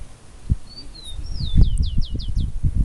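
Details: A bird sings in the wild: a few high, thin whistles that slide up and down, then a quick run of six sharply down-slurred notes. Loud low rumbling wind or handling noise runs underneath throughout.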